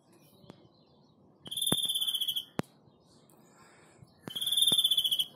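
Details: A hand-reared European greenfinch, a chick hatched July 2017, gives two rapid, buzzy trills of about a second each, level and fairly high, with sharp clicks between them.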